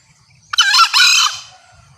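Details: Green junglefowl hen giving a loud, clear call said to bring males close: a short harsh note, a tiny gap, then a longer ringing note that trails off within about a second. The surroundings are otherwise quiet.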